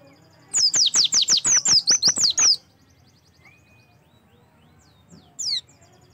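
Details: Oriental white-eye song played to coax kept birds into singing: a two-second run of about a dozen high, sharp, down-slurred whistles, then quiet, with one last brief note near the end.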